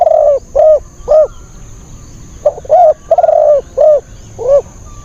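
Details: Fierce, thin-voiced wild spotted dove used as a decoy to draw in wild birds: steady loud cooing, three rounded notes, a short pause, then a longer phrase of stuttering and drawn-out coos ending in single notes.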